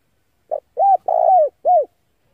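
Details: Male spotted dove coo for luring wild birds, four mellow notes: a short lead-in, a curved coo, a longer trembling coo that falls away, and a final curved coo, on silence.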